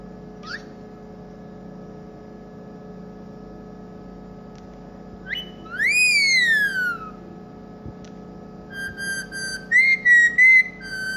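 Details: Pet green ringneck parrot singing indoors, whistling a Hindi song tune: a faint rising chirp, then a long loud whistle sweeping up and slowly falling, followed by a run of short, clipped, rhythmic whistled notes, with steady room hum beneath.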